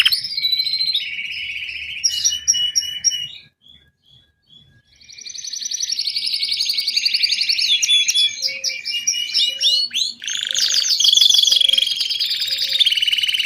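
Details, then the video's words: A Belgian canary imitates its teacher's song with long, rapid trills and rolling tours, high and bright, broken by a short pause and shifting through buzzy and liquid phrases. "Canário belga cobre professor cantando/Belgian canary covers teacher singing"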